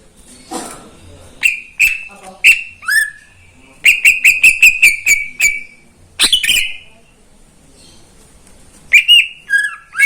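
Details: Caged greater green leafbird singing in the morning, a bird that sings nonstop each day: loud whistled notes near one pitch, rapid stuttering bursts of short strokes, and sharp downslurred phrases separated by brief pauses.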